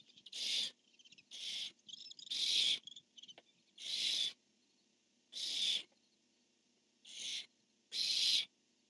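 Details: Barn owl pair, male calling with the female replying, dated 10-1-15: seven raspy hissing screeches at uneven intervals, some louder and longer, others shorter and softer, in a quiet background.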